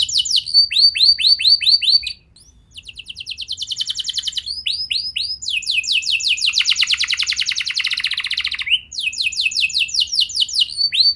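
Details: Young canary song used to prompt other young canaries to sing: rapid trills of repeated rising upsweeps and dense buzzy rattles, several phrases switching speed, with a short pause near two seconds.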